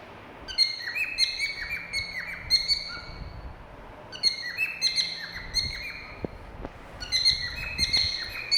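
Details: Cockatiels giving high chirping whistles in three bursts of quick repeated notes with sliding pitch, separated by short quiet gaps with a few soft clicks.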